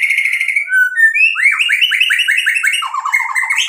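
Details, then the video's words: White-rumped shama in full song as a lure, pouring out a continuous run of rich whistled notes, with a series of quick downslurred phrases repeated several times in a row. "MURAI BATU GACOR bikin EMOSI jadi NYAUT BUNYI AMPUH buat PANCINGAN biar BONGKAR ISIAN"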